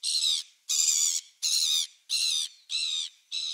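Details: Gulls recorded on 27 December 2017, giving six harsh, nasal squawks in a steady series, one roughly every 0.6 seconds, each call about half a second long and rich in overtones.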